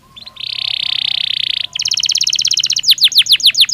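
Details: Belgian canary singing naturally: a dense buzzy trill, then a quick pulsed rattle, finishing with loud downward-sweeping whistles repeated about three per second.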